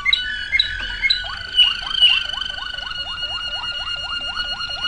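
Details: Waterslager canary song recorded in 2009: a few chirps, then long held tones above a fast run of repeated down-slurred gurgling notes, about three each second, like bubbling water.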